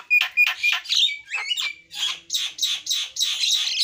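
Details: Javan myna singing: ringing whistled pips mixed with harsh squawky notes, followed by a steady run of rasping bursts repeated about four times a second.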